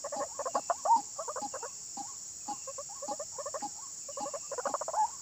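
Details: White-breasted waterhen, described as frantic and possessed, giving bursts of harsh, stuttering croaks in short clusters separated by brief pauses, with a steady high electronic whine underneath.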